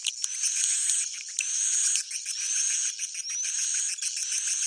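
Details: Swiftlet roosting call, a near-continuous buzzy, hissing chatter high in pitch, with faint upward-sweeping whistles and a few sharp clicks.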